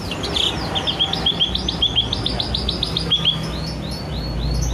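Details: Male sooty-headed bulbul, a clever mimic that copies birds around it, including the Asian pied starling; bright, high chirped notes repeated in quick rising-falling bursts about every half second, over a low steady background rumble.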